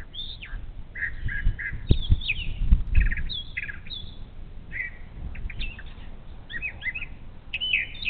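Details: Morning song of a brown thrasher by the Little Miami National Wild & Scenic River in Ohio: choppy, varied whistled and chattering phrases delivered in quick succession, over loud low-frequency thumps and rumbling.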